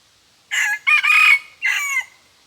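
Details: Red junglefowl used as a decoy, crowing twice only. A single loud crow in three parts: a short opening note, a long ragged held middle and a short downslurred finish, with silence around it.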